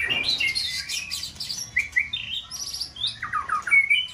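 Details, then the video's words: Caged White-rumped shama used to stimulate another bird to sing, in full breeding season; a dense, jumbled burst of high chirps, squeaky slurred notes and short whistles, with a few clear rising whistles near the end. "Kích chòe lửa bông hót đa diện"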